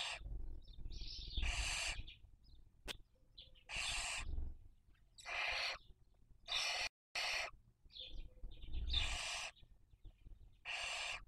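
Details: Barn owl family raising young on a webcam in Cabañeros National Park, Spain, 2023 breeding season: a long series of harsh wheezing screeches about every one to two seconds, with soft twitters and a sharp click.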